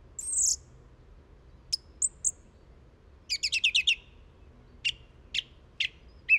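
Song thrush singing loud, varied phrases: high whistled notes, a rapid chattering burst, then one sharp note repeated three times, with quiet background.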